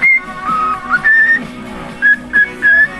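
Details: Pet cockatiel whistling the Jingle Bells melody: clear, pure whistled notes, some held and some short, stepping between higher and lower pitches with brief pauses. Faint indoor room hum sits underneath.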